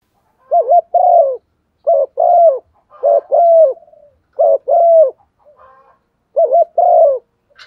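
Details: Spotted dove used as a decoy with a proper, standard voice to provoke other doves to call: five low cooing phrases, each a quick wavering double note followed by a longer, steady then falling coo, repeated about every 1.5 seconds.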